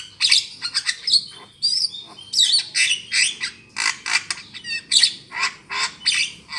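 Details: Javan myna lure call for trapping: steady series of harsh, buzzy squawks roughly twice a second, mixed with brief whistled slurs.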